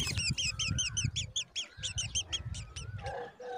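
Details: Black drongo babies seen close up; a rapid run of high, harsh chevron-shaped notes, about two per second and unevenly spaced, over low rumbling background noise, ending in a few lower, drawn-out tones.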